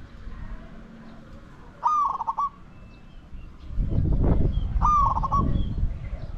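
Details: Spotted dove used in decoy luring of wild doves, giving two short stuttering coos with a rolling, broken middle, a few seconds apart, over a loud low rumble of wind or handling noise.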